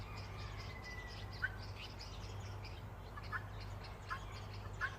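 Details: Bulbuls chirping in an orchard: short, sharp mid-pitched chirps scattered a second or so apart over a steady low hum and a faint, rapid, high pulsing chorus in the background.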